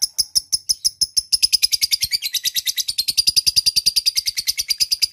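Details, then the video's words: Lovebird in long ngekek chatter calling a rival, used as a lure: spaced high chirps quicken into a fast, continuous run of harsh, metallic notes. "lovebird akan kepancing ngekek panjang"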